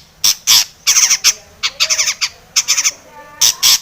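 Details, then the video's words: Long-tailed shrike giving a lure song meant to provoke singing: loud, harsh, grating squawks in short clusters of two to four notes, separated by brief pauses, rasping and high. "SUARA cendet gacor ATATCLETAT pancingan cendet agar bunyi emosi"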